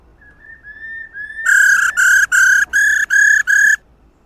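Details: Female white-cheeked laughingthrush, recording meant to set males singing: faint rising whistles lead into a loud harsh buzzy "ro" call chopped into six rapid pulses over about two seconds.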